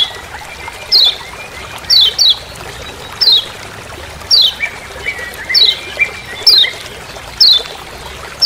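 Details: Lemon-bellied white-eye from Lombok giving its "ciak ciak" call in forest: a string of about ten high, quickly falling notes, some paired, spaced around a second apart, with faint lower chirps and steady hiss behind.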